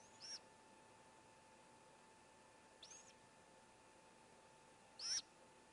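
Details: At a nest holding four great grey owlets, an owlet gives three brief, thin, high screechy calls about two and a half seconds apart, over a steady faint hum. A sibling seems to be cheering on the youngest as it swallows a whole vole.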